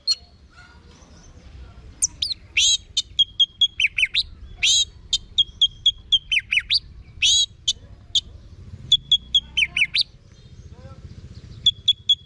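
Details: Orange-headed thrush song used as a vocal master for home birds. A long sequence mixes sharp high click-like notes with short, steady whistled tones, repeated irregularly over about ten seconds with a soft background hum.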